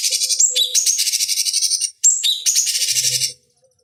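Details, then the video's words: High, harsh rattling trills from a cucak cungkok bulbul, used as a master recording for fighting birds. Whistled slurred notes break the fast, pulsing chatter, which runs almost without pause. "Masteran Pancingan Cucak Cungkok Ampuh Untuk Terapi Dan Masteran Burung Petarung"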